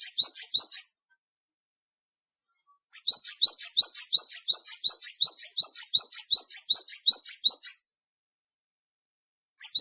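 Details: Bar-winged prinia, a small, lively black, white and grey bird with a fairly loud voice: bursts of rapid, sharp, high two-part chirps, about three a second, a one-second phrase then a five-second run after a pause.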